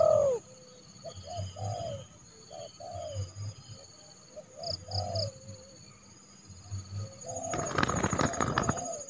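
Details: Spotted dove used as a trained decoy in January, calling to draw a rival into the yard for trapping: repeated phrases of short falling coos, about one phrase every two seconds, ending in a burst of loud rustling noise.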